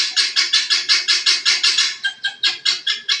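A guineafowl gives a harsh, grating chatter: rough, rasping notes repeated about five times a second, with a brief stumble midway before the rhythm resumes.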